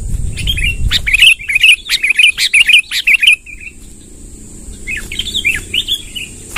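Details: Long rolling song of a sooty-headed bulbul, used to lure wild birds: after a low rumble, a quick series of bright chirps repeats about twice a second, fades, then resumes softer, with steady high hiss throughout.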